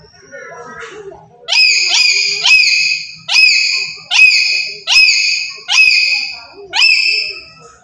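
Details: Black-capped lory, a very active bird kept as a lure for trapping birds, gives loud harsh rising screeches repeated about once a second, each sweeping up into a broad harmonic squawk, with faint softer notes before the series.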